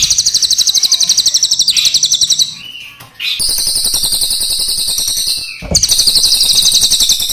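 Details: Crested jay, black and brown forms compared, giving long rolling song: a loud, fast dry rattle of high buzzy pulses, about ten per second, in three bursts over seven seconds, linked by short swept notes.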